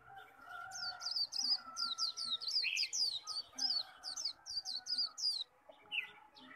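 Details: Japanese white-eye singing hard in a contest, khuyên líu style: a continuous stream of very high, sharp, downward-sliding whistled notes, several per second, with a brief lower chirp partway through and soft hums behind.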